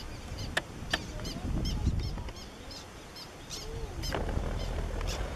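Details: Black terns at Point Pelee, heard close from a kayak, give a few short, sharp, scratchy kek notes, scattered and irregular, over steady low wind rumble.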